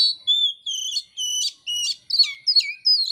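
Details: Oriental magpie-robin (kacer) in full song from Indonesia, training material for keepers' songbirds: loud, clear whistled phrases, some sustained and some wavering, following one another rapidly with brief gaps and no background noise.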